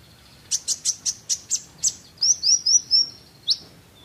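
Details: Sunbird, known locally as kolibri ninja, singing a lively song meant for training other birds: a quick run of seven sharp, high chips, then four rising whistled slurs and a final sharp note. The background is quiet.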